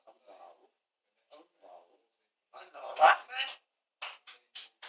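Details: A parrot reportedly saying "Allah akbar": soft murmured syllables, then a louder raspy spoken phrase and several short clipped sounds at the end.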